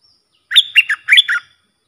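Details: Bulbul ดอกแตง-style song for tutoring young birds. A single clean phrase of five rich whistled notes, each sliding downward, lasting about one second against silence.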